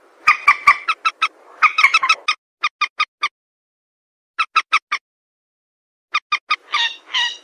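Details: Common moorhen calls for hunting: spaced groups of three or four short, sharp clucks separated by silences, ending with two longer, harsher squawks.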